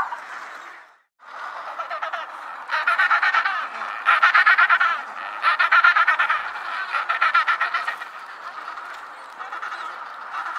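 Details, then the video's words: Penguins calling: loud braying bouts of rapid, rhythmic, buzzy pulses, several phrases rising and falling in intensity over a steady background of colony chatter, after a brief silent gap near the start. "Penguin Sounds | Penguin Calling"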